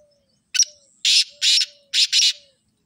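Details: Harsh, scratchy call of a black francolin: a short lead note, then two grating bursts and a quick double burst, all in a rhythmic pattern. A soft low whistle repeats faintly behind.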